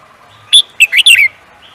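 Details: Competition songbird delivering a single quick phrase: a piercing first note followed by three rapid, twittering notes that slide downward, then quiet.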